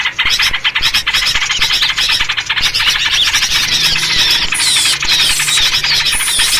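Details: A noisy yellow-vented bulbul lure for trapping. Rapid chirps run together in a continuous chatter, and thin, sharp whistled squeals rise above them in the second half.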